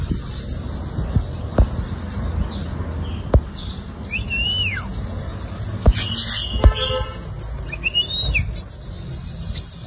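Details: Lure song of a five-coloured sunbird, a fighting style: scattered sharp upslurred and down-curving whistles at high pitch, irregularly spaced, with a few clicks and a low background rumble.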